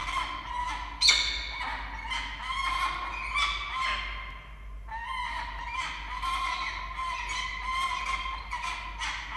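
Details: Peregrine falcons at a nest camera in Orange, Australia, 21 August 2023, while the male brings the female a live starling she declines. Continuous harsh, wailing calls repeat in dense overlapping bursts with a brief pause midway.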